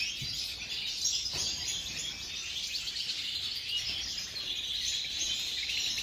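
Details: European goldfinch of the subspecies major singing: a continuous, dense, high-pitched twittering stream of rapid chirps and trills, running unbroken and fairly even in loudness for the whole stretch, with faint background hiss.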